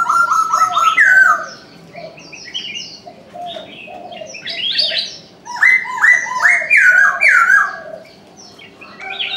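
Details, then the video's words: Morning calls of a Chinese francolin: a loud harsh note opens, then after quieter twittering of other birds comes a rapid series of strong, hooked, grating notes in quick succession. "Chim đa đa gáy sáng"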